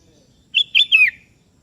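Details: A kebo-type sooty-headed bulbul calling a rival, which answers: a rich, liquid three-note whistled phrase, evenly spaced, the final note slurring downward, in clean quiet surroundings.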